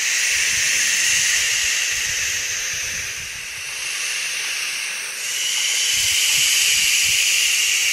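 A barn owl gives a long, breathy hiss, steady and rasping, that eases briefly in the middle before swelling again; no other sounds stand out.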